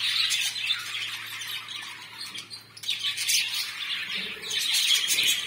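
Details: Pet budgies chirping: continuous busy warbling and high twittering chatter, rising and falling in loudness, with a steady low electrical hum underneath.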